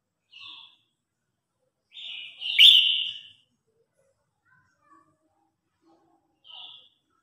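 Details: Red-whiskered bulbul singing in competition to call the flock: a short whistled note, then a loud, rich phrase near three seconds that ends in a sharp burst, and a soft closing note after long pauses.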